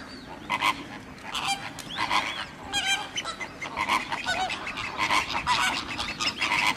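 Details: Radjah shelduck at WWT Slimbridge, among a busy chorus of honking waterfowl; loud nasal honks and rattling calls overlap repeatedly throughout, with several birds calling at once.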